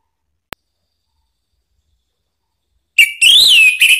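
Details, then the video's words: Orange-headed thrush lure song meant to make another bird sing: after a faint click and a long silence comes one loud whistled phrase that swells upward, then falls and levels off. "isian TAJAM !!! bikin ANIS MERAH EMOSI NYAUT NGEPLONG ¦ PANCINGAN AM ¦ TERAPI MACET"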